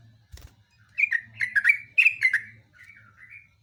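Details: Yellow-vented bulbul in long-run gacor song: a run of rapid bubbly chirped phrases, then softer descending whistles trailing off, with a brief click early and a low steady hum.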